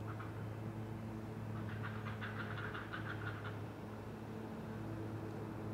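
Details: At a great blue heron nest in a rookery 100 feet up in loblolly pines on Maryland's Eastern Shore, around 5 AM on 20 July 2018, a heron gives about eight harsh, clacking notes in under two seconds over a steady low electrical hum.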